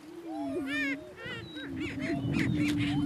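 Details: Two male Greater Prairie Chickens battling for dominance on a lek in northeast Kansas: a steady low moaning boom runs underneath while sharp, rising cackles and whoops with stacked harmonics burst out above, several per second.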